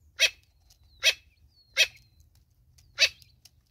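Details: Natal spurfowl mother with chicks in South Africa giving harsh, grating single notes, five in under four seconds at an uneven pace, over a faint low rumble.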